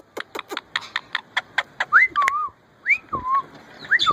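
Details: Female rose-ringed (Indian ringneck) parakeet, a pet, gives a mating call in the breeding season: about ten quick, sharp chipping notes, then a few clear whistles that rise and fall.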